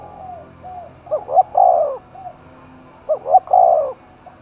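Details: Spotted dove in Dong Nai, Vietnam, stirred to contest cooing: two phrases about two seconds apart, each a pair of quick looped notes and a long, sliding coo, with soft coos between.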